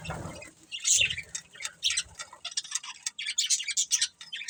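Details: Pair of budgerigars kept for breeding, chattering in quick, scratchy chirps and clicks, with brief sharp squeaks, over faint low rustling at the start.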